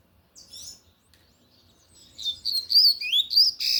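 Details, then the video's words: A lined seedeater, coleiro de gola, in loud Tui Tui song: a few soft high notes, then a rapid, accelerating series of sharp, high whistled slurs growing louder toward the end. "Coleiro de gola Tui Tui cantando forte"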